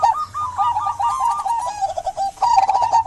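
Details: Zebra dove of a local strain singing energetically, meant to coax quiet doves into song: a fast, rolling string of soft cooing notes, a short break, then another bouncy run, with light clicking in the background.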